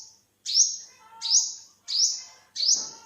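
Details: Olive-backed (yellow-bellied) sunbird recorded in 2021: four loud, high-pitched rising notes, each starting low and flicking upward, spaced about two-thirds of a second apart, with faint background murmur.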